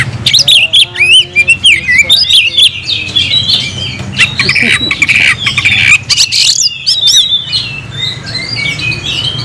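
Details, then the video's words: Oriental magpie-robin kept in a cage, in loud gacor singing: harsh rasping squawks alternate with twisting whistled phrases and sharp clicks, a steady low hum running underneath. "kacer gacor nagen sampe leklok"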